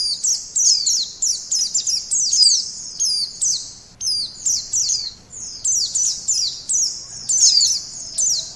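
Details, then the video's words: White-eye lure song, a long series of high, sweet, rapidly twittered phrases pouring out one after another with short pauses between bursts, over a quiet background. "Suara Burung Pleci Pemikat"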